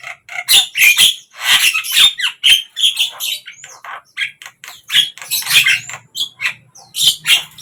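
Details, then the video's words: Javan myna song, morning, midday and evening: restless stream of scratchy squawks, rasping chatter and brief whistled slurs, nearly unbroken, with faint low rumble in the background. "Jalak kebo ,pagi, siang,sore"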